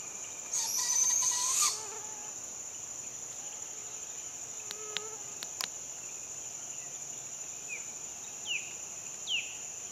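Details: A Barred Owl fledgling gives its begging call at sunrise: one harsh, raspy hiss about a second long, over a steady high insect drone, with a few faint downslurred chirps near the end; a second owl was nearby.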